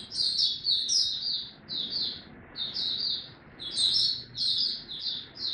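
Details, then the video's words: Buka tiong aw style song from an Oriental white-eye ramping up form, dated 03-01-2022: clusters of shrill, high chirps repeated in quick phrases roughly every second, over a steady low background hiss. "Mata Puteh Dagger ramp up form buka tiong aw sing"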